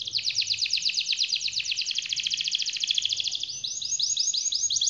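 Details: 'Gacor' canary with long rolling trill: a dense, rapid high chirping roll for over three seconds, then slower repeated sweeping notes, with faint background noise.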